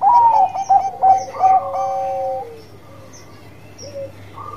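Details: Bangkok-type zebra dove in full song, its bekur cooing used as a lure to stir other birds: a quick run of short, mellow coos, then a longer, smooth held note that fades. Faint chirps of other birds sound in the background.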